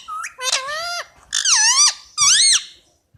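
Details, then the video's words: Indian ringneck parakeet kept as a pet, giving three harsh drawn-out squawks, each about half a second long, with wavering rising-falling tone and rich harmonics, separated by short pauses. "indian Ringneck chirping sound"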